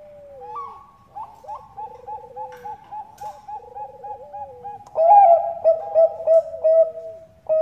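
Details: Bangkok-type zebra dove lure call, a female calling to a male: overlapping soft, rolling coos and quick repeated notes, ending in a loud run of clear ringing coo phrases in steady succession.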